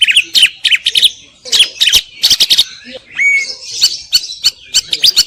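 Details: Greater green leafbird mixing harsh scratchy chatter with a clear rising-then-flat whistle midway, phrases broken by short pauses.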